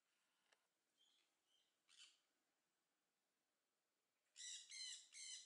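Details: Captive Southern screamer at a zoo in Upie, Drôme, France. Faint sounds come first, then a series of three loud, harsh, harmonic notes closes the recording.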